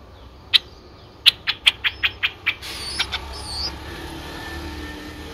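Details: Nine-day-old Streak-eared Bulbul nestlings, whose eyes opened at seven days, recorded in Ubon Ratchathani, Thailand, on 11 April 2023: one sharp chip, then a quick run of six short, even chips, fading into faint higher whistles from other birds.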